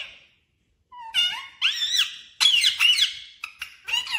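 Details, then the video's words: Parrot indoors giving shrill squeaky calls: a brief whistled note, then loud harsh screeches and rasping bursts, ending with short sharp squeaks in quick succession. "parrot Sound"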